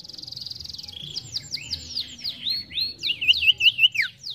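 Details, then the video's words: Sirtu (ashy tailorbird) in lively song: a buzzy high trill opening, then repeated sharp downslurred whistles building into quick looping notes and a final falling sweep. "Sirtu gacor ampuh pancing bunyi sirtu bahan"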